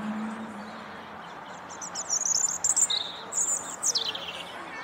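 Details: European robin singing in full song from a corkscrew hazel bush in the Flower Walk: a run of very high, thin, sweet trills and quick twittering notes, then a falling warbled phrase near the end, over a faint low hum.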